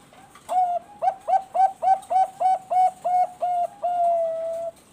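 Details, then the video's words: A captive Bangkok zebra dove (perkutut) gives a fast series of about eleven soft, rolling coos, evenly spaced, ending in a longer drawn-out note. "PANCINGAN SUARA BURUNG PERKUTUT BANGKOK GACOR"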